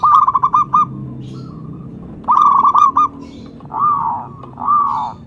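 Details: Local zebra dove, used as a lure and to prompt other doves to sing, giving two loud bursts of rapid hooked cooing notes. Softer drawn-out coos follow over a low background hum.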